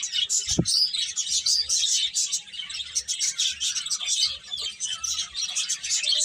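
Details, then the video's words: Flock of birds chirping continuously, high busy tweets in overlapping bursts, a short low thump near the start. "Cute Birds Chirping Sounds"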